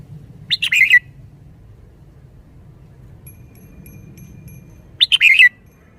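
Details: Lively caged Red-whiskered bulbul singing two brisk, bubbly phrases of several rapid notes, separated by a four-second pause; a faint thin high ticking sound runs briefly in between.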